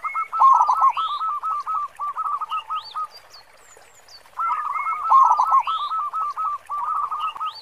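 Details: Local zebra dove with a powerful 'khong' voice, singing as a lure for other birds: two long runs of quick, repeated cooing notes separated by a brief pause, with thin upslurred whistles from other birds in the background.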